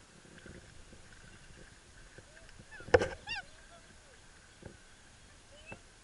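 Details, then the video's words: Black swan during its mating dance: one loud, clear, harmonic bugling call near the middle, with a few softer, short calls before and after over a steady low hum. "cisne negro, black swan (dança do acasalamento)"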